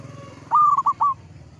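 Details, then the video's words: Singing local zebra dove (perkutut), described as a mature, steady singer: a single short phrase of three quick, bright, trilled coos, the first longest, over a low background hum. "PERKUTUT LOKAL GACOR, MANGGUNG MENTAL TUA BANGKA"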